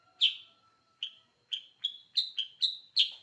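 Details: Sooty-headed bulbul singing very actively: a quick run of eight clear, bright chirps, speeding up toward the end, a few slightly rising, within about three seconds.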